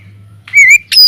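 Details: Caged Oriental magpie-robin in an aviary, kept as a singing lure for other birds: one clear warbled whistle followed by a short harsh, rising note, over a faint low hum.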